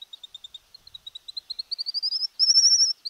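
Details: White-naped Xenopsaris in Argentina: a steady series of thin high ticking notes that speed up and climb slightly, ending in a fast, slightly buzzy high trill. The background is quiet.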